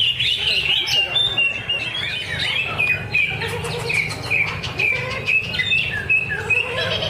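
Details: Greater green leafbird singing during a bird singing contest session at Danau Bumi Restu, Cikunir. It sings a lively chain of short slurred whistles and chirps, roughly two per second, some dipping downward, over a low background hum.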